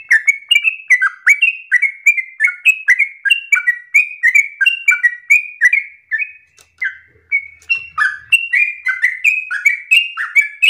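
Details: Long-winded 'gacor ropel' singing of a yellow-vented bulbul, its phrasing chosen as easy for untrained bulbuls to imitate: continuous cascade of liquid, chattering notes, briefly pausing near the middle before resuming at full pace.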